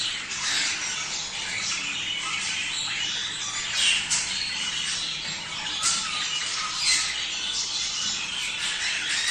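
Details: Budgerigars calling in a sound said to stimulate mating: a continuous, lively chatter of chirps, whistles and scratchy squawks with occasional sharper accents.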